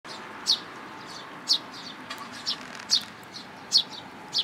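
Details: Young sparrow in a plum tree at a Tenmangu shrine in June 2022, come to be fed: sharp, high, downward-slurred chirps repeated about once a second, seven in total, over a faint steady background hiss.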